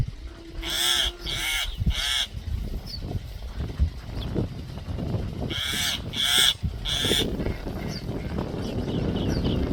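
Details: Alert call of a common myna: two bursts of three harsh, grating squawks in quick succession, separated by a pause of about three seconds, with faint thin chirps and low rumbling noise between them.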